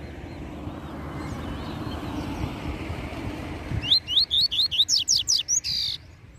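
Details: Tui Tui Zel Zel song of a master double-collared seedeater, sung for tutoring: after steady background noise, a rapid series of about nine upslurred whistles, the last few steeper and buzzier, closing with a short harsh note.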